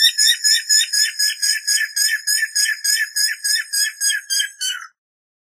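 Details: A Guira cuckoo walking in a garden at dusk, foraging and sunning, gives its characteristic song: a fast, steady run of about eighteen harsh whistled notes, about four a second, then stops abruptly.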